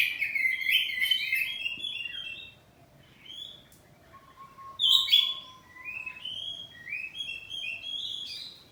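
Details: A kacer poci oriental magpie-robin kept at home sings ngeplong in reply: a busy twittering phrase, a lull with a thin, steady low whistle, then louder sweeping whistled notes.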